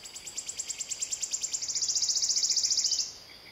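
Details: Wood warbler (Phylloscopus sibilatrix), song.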